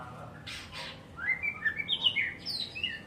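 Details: Kept white-rumped shama giving a lively string of varied whistles, rising and falling, quickening into sharp bright phrases after two soft noisy scrapes.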